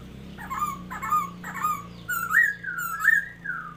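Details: Newly kept black-throated laughingthrush singing on 27 February 2022: a run of short whistled phrases, three quick slurred notes then longer rising-and-falling whistles, about every half second, with a constant low background hum.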